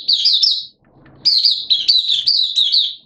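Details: Oriental white-eye, a caged hobby bird singing openly ('buka sing'), recorded 11 September 2022 in wet, erratic weather; two loud bursts of rapid, high, sweet warbling separated by a short silence.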